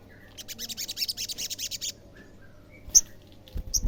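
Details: Olive-backed sunbird song used to provoke rival sunbirds into replying: a quick, fairly soft series of high, thin chattering notes lasting about a second and a half, followed by a few isolated sharp chips.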